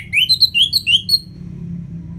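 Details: Orange-headed thrush singing in the loud open ngeplong style, used to spur reluctant birds to sing: a quick run of rising, sweet whistled notes climbing in pitch, then fading, with a low hum behind.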